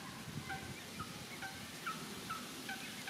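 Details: Grebe chicks on the mother's back being fed by the father in a Netherlands park; thin, high piping calls repeated rapidly over steady background noise.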